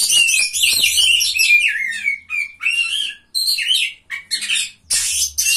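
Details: Third-place Oriental magpie-robin at a singing contest: a fast, tumbling warble of high twitters sliding into downslurred whistles, then separate sharp phrases with short silences between, a low hum beneath.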